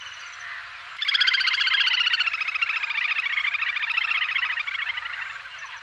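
A little grebe gives a long, high, rapid whinnying trill lasting about five seconds, wavering and sinking slightly in pitch, over faint background hiss.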